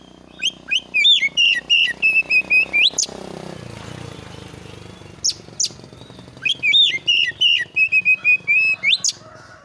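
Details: Oriental magpie-robin song played as a lure to provoke replies: repeated phrases of wavering whistles and sharp upswept notes, over steady low background noise and a brief mechanical rumble.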